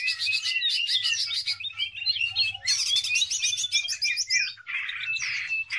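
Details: Greater green leafbird, a caged bird singing in a chattering style used as a lure song to train other birds: dense run of fast high whistles, buzzy trills and sharp chips, rapid and varied, with a faint low hum beneath.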